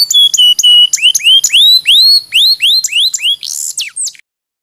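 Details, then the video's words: Canary song from a training recording for other birds: steady high whistled notes followed by a series of arching upward-then-downward sweeps repeated about three times a second, ending in a brief buzzy flourish. "Masteran Mp3 Burung Kenari"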